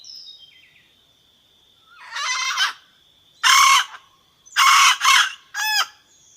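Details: Red junglefowl hen calling to bring in the rooster: a run of four rough, honking squawks, the last short and clipped, over a constant shrill insect-like tone.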